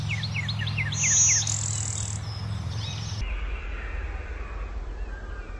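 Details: A Blue-winged Warbler singing on a branch gives a high, thin, two-part buzz, 'bee-buzz', over another bird's quick repeated falling chirps and a low rumble.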